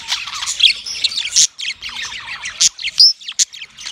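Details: Yellow male budgie giving mating chirps: loud, choppy bursts of squawky chatter and thin whistles, one clear rising whistle near the end, with short silences between phrases.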